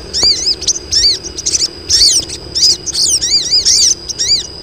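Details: Female crested jays calling to attract males: repeated arched, rising-then-falling squeaky notes, roughly one burst every second, stacked high chirping from several birds over a steady shrill tone.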